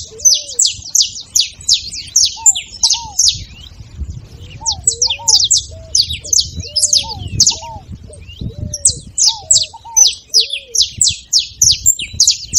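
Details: Extended saffron finch song for stimulating a cold canary: dense bursts of high, sharp chirps, a brief lull, then more rapid runs, with scattered low whistled notes from another bird throughout.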